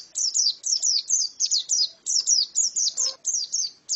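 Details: Female white-eye singing a fast run of high, thin chirps, each note a quick downward flick, strung in short bursts of two to four notes with brief gaps between.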